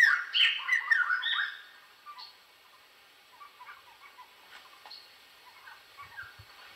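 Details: Burst of rich, tumbling warbled notes from a Black-hooded laughingthrush, fading after a second and a half into scattered soft chirps and quiet gaps.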